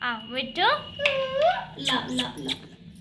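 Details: Baby parrot chattering in quick, speech-like syllables, with sliding whistly tones and short raspy notes running together over three seconds.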